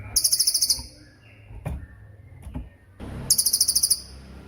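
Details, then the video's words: Two short bursts of a racket-tailed treepie tembakan, each under a second of quick shrill repeated notes, separated by a gap holding faint clicks and soft background hiss; made as training material for shamas and other songbirds. "MASTERAN TEMBAKAN CILILIN GACOR DOR,SUPER JERNIH & TAJAM"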